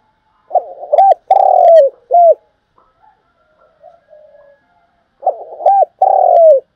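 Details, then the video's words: Lure spotted dove cooing to draw in wild birds: rough buzzy start, hooked notes, then a long falling coo and short end note, twice with a gap; light clicks and soft background noise between phrases. "tiếng cu gáy mồi chuẩn gáy gọi dùng kích bổi tập mồi rất hiệu quả"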